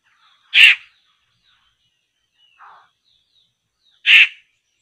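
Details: At a poksay trapping site, a laughingthrush gives two loud, grating bursts roughly three and a half seconds apart, with a softer, lower rasp between them.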